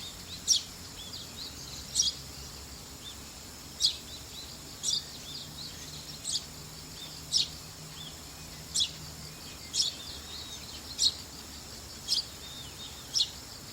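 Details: Young Eurasian tree sparrow, filmed 3 October 2015 on a Canon PowerShot SX60 HS with an external Panasonic mic. It makes bright, clipped chirps roughly once a second, with a steady high insect-like whine and low hum beneath.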